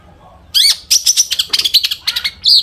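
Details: Long-tailed shrike in full song, used as a lure to make other shrikes sing: a dense medley of scratchy, chattering notes and sharp whistled slurs, clean and close.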